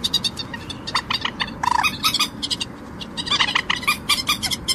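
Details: Harsh, stuttering clucks of a common moorhen in irregular bursts, partly masked by a constant low rumble and background hiss.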